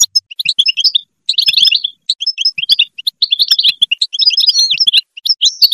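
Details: Goldfinch song meant to motivate other goldfinches, heard as a lively continuous stream of bright twitters, trills and liquid chirps in quick bursts, a few whistled upslurs near the end.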